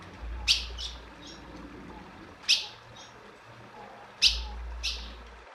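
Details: Female ultramarine grosbeak calling to excite a male: short sharp high chip notes, each with a fainter echo-like note after it, repeated about every two seconds over low background hum.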